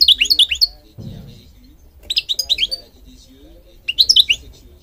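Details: Singing goldfinch, a songbird that breeds in Morocco, including public gardens; three bursts of quick, high twittering notes with rising and falling slurs, separated by short pauses.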